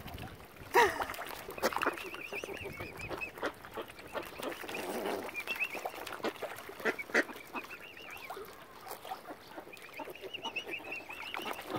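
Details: Angry, hungry mother swan at Lough Neagh, Ireland, short of food after algae killed normal supplies; a loud honk early, then scattered nasal calls among many wavering, trilled high calls from other birds in a busy waterside crowd.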